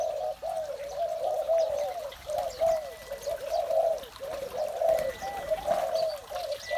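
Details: Spotted doves in the morning keep up a loud, continuous cooing chorus of low, hollow, wavering notes, with occasional thin whistles from another bird.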